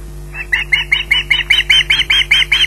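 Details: Rapid, evenly spaced series of about twelve harsh squawks, growing slightly louder, from an osprey waiting for food at RSPB Loch Garten, over a low constant hum.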